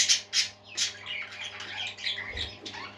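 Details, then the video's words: Several parakeets singing together: busy overlapping chirps, squawks and warbled notes in quick succession, with a low continuous hum beneath. "Happy Parakeets Singing"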